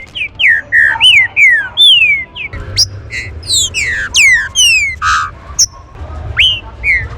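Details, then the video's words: Green-winged saltator, trinca-ferro, warm-up song for other saltators: a long run of loud whistled notes, mostly falling slurs, some short and buzzy, delivered several per second with brief gaps, over a low hum. "CHUVA ESTE CANTO VAI ESQUENTAR SEU TRINCA-FERRO"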